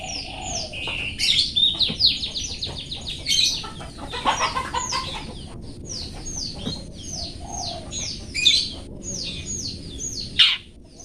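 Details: Caged-bird training master of a long-tailed shrike in 'toet toet' song: a dense, continuous stream of quick downslurred chirps and rattling chatter, punctuated by a few louder harsh notes.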